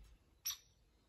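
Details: Unhappy female hairy woodpecker at Lake Bellaire on 20 May 2022, squeaking her displeasure about slim pickings; one brief sharp high squeak, clipped and bright, over a faint low hum.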